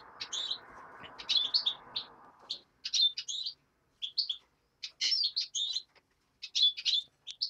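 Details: A European greenfinch nestling calls in quick clusters of sharp, high chirping notes; a low rushing noise fills the first two and a half seconds, then the calls continue in clear bursts.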